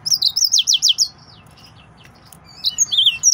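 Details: Fast series of downward-sweeping notes from an excited male yellow-fronted canary, then a pause before higher slurred whistles resume.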